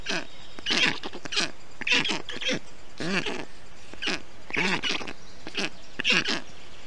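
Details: Nestling black storks in Estonia, 20 June 2021, heat-stressed young being cooled by the male with wet grass, moss and water; separate harsh nasal rasping calls, each with a downward sweep, roughly one per second.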